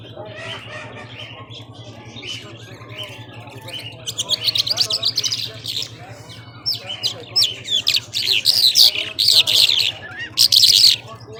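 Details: Irani Mashadi jhal, a skylark kept as a singing bird, giving powerful nonstop song: bursts of buzzy, trilled high notes with rising whistles, growing louder after the first few seconds, over a low steady hum.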